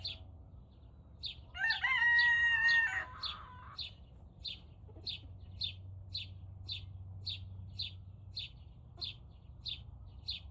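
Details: {'caption': 'Turken chicken at about 5 am, still learning to crow, gives a loud, thin, shrill crow held for about a second, set against a regular ticking of high chirps nearly twice a second and low background hum.'}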